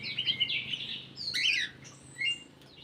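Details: Bulbul in an aviary, identified as black-capped, delivering a fast warbling run of sweet chirped notes, then a brighter whistled burst and a short final note, over a constant background hiss.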